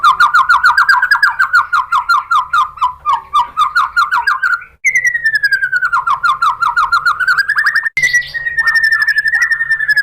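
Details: White-rumped shama (murai batu) song used to provoke other shamas: long stretches of rapid, rolling whistled trills that dip and rise in pitch, broken by two brief cuts, ending on a steady high trill.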